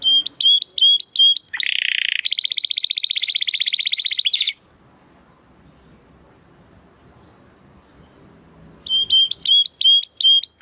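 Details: Training song by a male Timbrado Español canary from rated parents: clipped repeated metallic notes, a long rolling buzzy trill of about three seconds, several seconds of quiet room noise, then the clipped notes resume.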